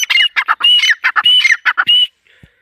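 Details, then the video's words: Female partridge (teetar) giving its excited call: harsh, squawky notes in rapid bursts, several with a clear whistled tone near the top, then a short quiet pause at the end. "mdi ke Awaz # tetar sound # Teetar Voice # Atif Bhkar Bird # Tetar ke masti wali korak"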